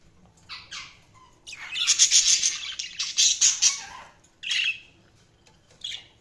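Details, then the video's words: Budgerigars chirping: short high chirps, then a burst of dense, scratchy warbling chatter lasting about two seconds, followed by a few separate squeaky notes. "Budgies Chirping sound"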